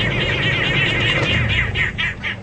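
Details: Arrow-marked Babblers, a family group at Djuma Game Reserve in the evening of 15 February 2015, in a harsh, raucous chorus of grating, cackling bursts; when one calls all call, strengthening the group bond; low engine rumble.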